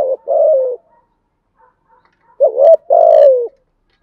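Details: A spotted dove, apparently a decoy or lure bird, gives two low, mellow cooing phrases about two seconds apart, each a short note followed by a longer, slightly falling coo.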